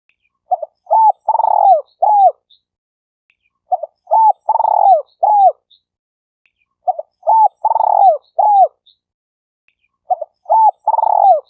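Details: Spotted dove calls for luring and attracting birds: four regular cooing phrases about three seconds apart, each with short clipped notes, a long burry coo and a downslurred ending, faint high chirps between them.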